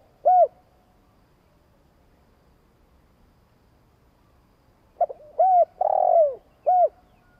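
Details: Spotted dove long coo used to excite other doves: one isolated hoot, a pause of several seconds, then two quick short notes, an arched hoot, a long buzzy descending note and a closing hoot.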